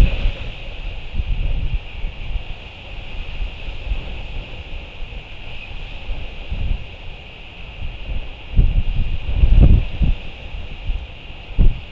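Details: Only wind buffeting the microphone and low rumbling gusts, with a steady faint hiss; no clear animal call stands out.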